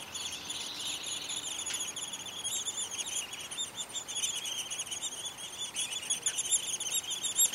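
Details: Downy woodpecker babies inside a tree-hole nest near a patio in spring, as the parents come to feed them. A steady chorus of thin, very high squeaks and buzzy chatter runs without pause, with a few sharper peeps standing out.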